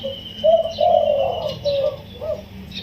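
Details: Spotted dove, a wild-caught bird caged for 16 days, crowing in the yon kuk diao style, soft and pleasant. Low mellow coos, one drawn-out and swelling, then shorter ones. Faint high chirps from other birds are heard behind.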